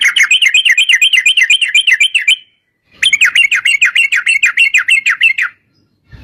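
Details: Two long rapid trills from a sooty-headed bulbul, 'ropel panjang' style used to lure singing: evenly pulsing wavering chatter, each run about two and a half seconds, separated by a short silence.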